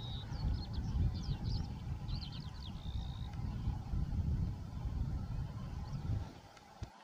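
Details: Near the Warta river mouth, a few northern lapwings give quick, wheezy, up-and-down slurred calls in the first half, then fall quiet, leaving gusting wind noise.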